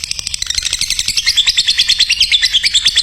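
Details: Lovebird in training audio meant to produce champion birds, pouring out an unbroken, rapid, shrill chatter of closely packed notes.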